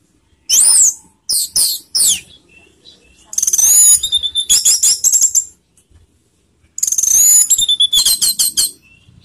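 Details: Orange-headed thrush giving teler-style song meant to stir emotion and mating urge: sharp high whistles, then long fast runs of thin ringing notes and trills in two bursts, separated by a short silence.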